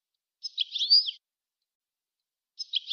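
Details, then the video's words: European goldfinch song used for training songbirds: two short high twittering phrases, the first with a bright rising slur, separated by silence. "How to teach the pure song of goldfinches and songbirds"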